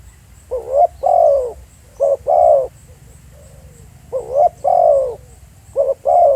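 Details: Spotted dove at Pha Sing, recorded on site, repeating throaty two-part coos. A brief first note leads into a longer falling coo, with a soft distant coo in a short pause.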